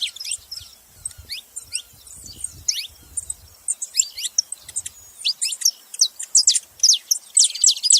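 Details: Saffron finch producing many high, twittering chirps and steep downslurs, scattered early and then crowding together into a dense chatter, with faint low knocks.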